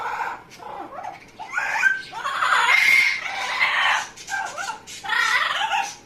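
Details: Pet Amazon parrot making funny noises: loud continuous series of raspy, nasal, crowing and squawking phrases with sliding pitch, run together with brief gaps.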